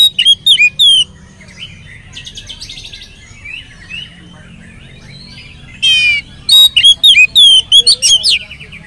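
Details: Oriental magpie-robin song played as a lure to get other magpie-robins singing: loud bursts of varied high whistles, slurred notes and rattling trills, a near-silent pause mid-way, then a fresh run of sharp whistled phrases.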